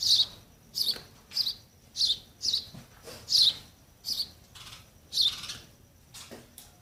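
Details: Young sparrows awaiting feeding by mother and father: a steady run of about ten short, high, sharp chirps, spaced roughly every half second.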